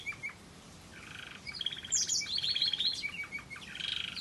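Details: Variegated red factor canary singing a waterslager melody: bright chirps and buzzy trilled phrases, loudest in the second half, with short rattling runs and a high sharp note, over a faint low background hum.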